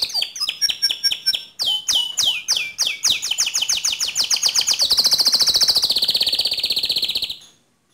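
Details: Canary in full, energetic song used to train other canaries, delivering loud, sharp, high whistled notes in repeated series, speeding into fast rattling trills and a sustained buzzy roll before it ends.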